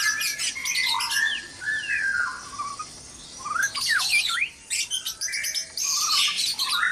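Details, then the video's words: Before sunrise in a breeding cage, white-rumped shamas sing a jumble of clear whistles, downward slurs and harsh high chatter, with short pauses between noisy bursts. "Suara murai batu berisik dikandang ternak saat subuh"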